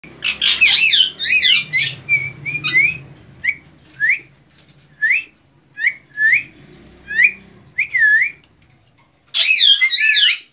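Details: A hand-tame Red-vented bulbul whistling gives a run of short, bright whistled notes about twice a second, with louder chattering, squawky bursts at the start and end.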